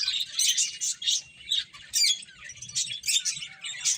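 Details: Feeding finches giving rapid high chirps and short trilled phrases in several loud bursts, a few thin rising whistles audible between the busier chattering moments.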